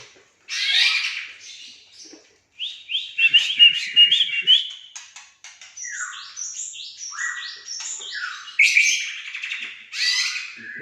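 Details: Agitated Aceh white-rumped shama singing intensely and repeating the same passage: bursts of bright whistles, sliding notes and scratchy trills, with men talking before and after.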